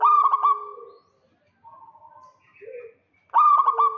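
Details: Local zebra dove in the lively 'kerot' style, calling to lure a rival: a loud rolling coo with quick stuttering pulses, a softer trailing note, a pause with faint lower murmurs, then the rolling coo again at the end.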